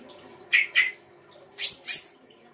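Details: Songbird from Indonesian kicaumania songbird keeping, performing 'isian' song material: two quick sharp chirps, a short pause, then two higher, brighter chirps, with a faint steady hum behind.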